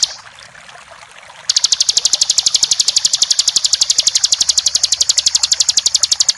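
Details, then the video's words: Bar-winged prinia song from a champion bird: after a quiet start, a long, steady, very fast series of identical sharp chipping notes, about four per second, continuing to the end. "Masteran ciblek JUARA full ngebren ( masterannya para ciblek juara) Suara ciblek gacor"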